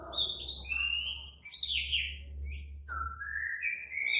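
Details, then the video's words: White-rumped shama in an agitated singing bout: high descending whistled slurs and a rising drawn-out whistle, over a steady low electrical hum. "Murai batu langsung EMOSI TERPIKAT suara murai batu ngamuk AKTIF ini"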